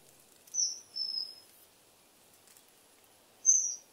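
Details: Common kingfisher giving high, thin whistles: two drawn-out piercing notes in quick succession, a pause, then a third shorter whistle, over quiet background.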